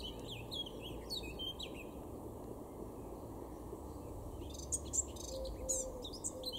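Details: Male Eurasian blackcap singing in a garden in Weener, East Frisia, northwest Germany, April 2022: a short warbled burst of varied notes at the start, then a brighter, sharper flourish near the end, over a steady low rumble.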